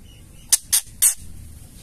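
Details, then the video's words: Female white-rumped shama giving its ketrekan call, used to provoke males into singing: three short, harsh, rasping bursts in quick succession, the last slightly longer, over a quiet low hum. "suara ketrekan murai batu betina gacor bikin murai lain langsung bunyi gacor ngamuk"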